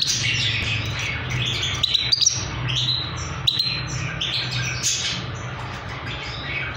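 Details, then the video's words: Trained young Himalayan goldfinch singing: bright, rapid twittering and chirping notes run continuously, with a few sharper clicks near the middle, over a steady low hum. "trained baby himaliyan goldfinch best singing"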